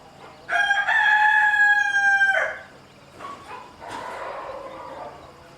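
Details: Rooster harassing a mother hen and her chicks; one loud drawn-out crow lasting about two seconds, steady and harmonic-rich, followed by quieter clucking and a softer cackle from the flock.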